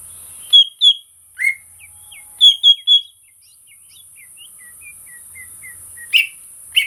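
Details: Greater green leafbird song of bright, varied whistles, with some notes paired and some falling, ending in softer descending chips. A constant high-pitched hiss runs underneath.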